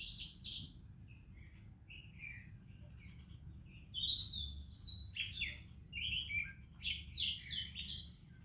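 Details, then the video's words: Morning song of an Oriental magpie-robin with other Indian birds: scattered clear whistles and quick rising and falling notes, some sharp high chips, and uneven pauses between phrases. "ROBIN Chirping in the Morning"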